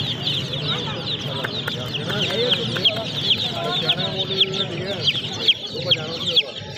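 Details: Baby chicks give a continuous high peeping chorus, with louder individual down-slurred cheeps popping out roughly every half second toward the end, over low background noise.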